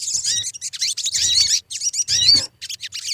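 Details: Sogon lure song: short, dense bursts of high, buzzy chirping and twisting whistles, about one burst per second.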